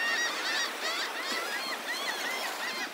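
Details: Many gulls on the beach at Delnor-Wiggins Pass State Park, Naples, Florida, in the morning call over one another, harsh nasal squawks and mewing notes overlapping in a steady din of roughly two or three per second.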